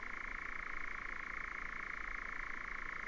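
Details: Nightjar recorded in 2019 giving a steady, unbroken mechanical churr, a rapid dry trill held at one pitch, over a faint low rumble.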